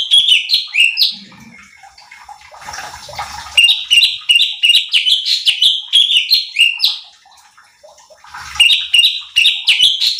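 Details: Cucak cungkok bulbul training recording for competition birds: lively, steady strings of short upward-flicking whistled notes, about three per second, interrupted once by a brief hissing rustle and a short pause.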